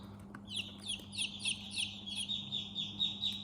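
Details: Baby chickens in their chick house peeping steadily, a rapid overlapping series of thin, high chirps, several each second, over a low constant hum.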